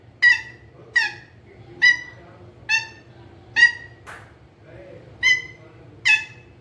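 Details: Green ringneck parrot kept as a pet, a rose-ringed parakeet said to be talking, repeats loud, ringing, harsh squawks roughly once a second, seven in all, with a brief scratchy noise midway.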